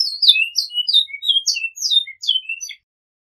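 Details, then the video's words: {'caption': 'Great-billed seed-finch in the flute-style song with repetition, known as canto flauta: clear high whistled notes sliding up and down, in a varied phrase of about a dozen notes, then silence, with no other sounds.'} "Bicudo Canto Flauta com repetição"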